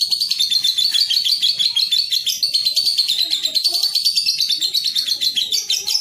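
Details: A young (paud) lovebird in a training recording chatters without pause: a rapid stream of high, shrill, scratchy chirps and trills, about three notes a second, with faint softer twitters beneath.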